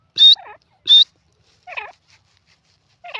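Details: Two piercing, high francolin notes in quick succession, each followed by a lower, softer grating note, then two more softer harsh notes after a pause; no other sounds.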